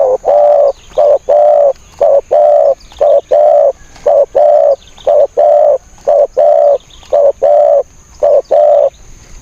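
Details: Spotted dove used as a decoy to lure wild birds, giving a steady run of low, hollow, drawn-out coos roughly once a second, each note level and mellow, over a faint constant high-pitched hiss.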